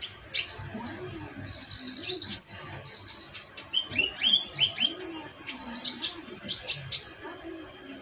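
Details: Metallic pygmy sunbird in sustained high twittering song, fast sharp chirps and thin trills running almost continuously, with faint lower whistled notes in the background.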